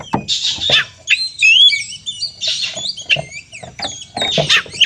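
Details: Aggressive oriental magpie-robin song, used to provoke rival birds: loud raspy bursts alternating with bright whistled slurs and quick twittering flourishes, energetic and varied, with a faint low hum underneath.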